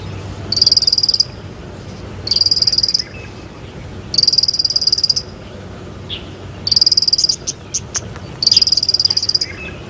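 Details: Bar-winged prinia singing energetically: short, rapid, high buzzy trills of even clicking notes, each about half a second long, repeated roughly every two seconds, five bursts in all, over a steady faint high electronic whine.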